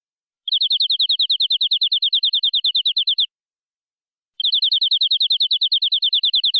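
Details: Local canary, reportedly from the forest, singing full-filler song in cengkok style: two bursts of rapid, evenly spaced high chirps, each close to three seconds long, separated by about a second of silence.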